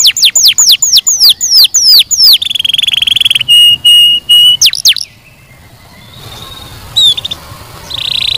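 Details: Canary singing a run of sharp, downslurred notes, a buzzy rolling passage and steady held whistles, then falling quiet. Only faint background noise and a short final phrase follow.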